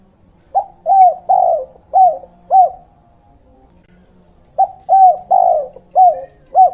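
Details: Spotted Dove (tekukur/derkuku) lure recording with the 'kuk 2' cooing pattern, used to attract wild birds and train young birds: two bursts of five low, rounded coos in quick succession, separated by a brief silence, with a faint low hum.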